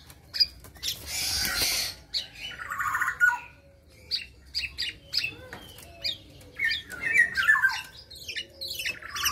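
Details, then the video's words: Tame caged local black-naped oriole, out of its spotted juvenile plumage, giving harsh squawking notes mixed with brief whistled phrases and short chirps in irregular bursts. "BURUNG Kepodang Lokal lepas trotol sudah teler"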